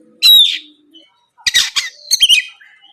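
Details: Oriental magpie-robin singing in the morning, used as a lure to provoke rival birds into answering; short harsh, scratchy bursts of high notes separated by pauses, with a squawk-like rasp near the start.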